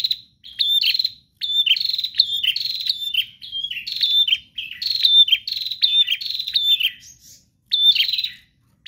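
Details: A prinia sings nonstop and forcefully, its song meant to make captive prinias sing too: long runs of quick, buzzy, rasping high chirps repeated in tight succession, with barely a break.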